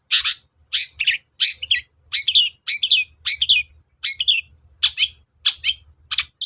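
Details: Long-tailed shrike giving lure song to provoke a reply from another bird. Rough, scratchy two-part notes follow one another at about half-second intervals, each a harsh burst with a twisting tail.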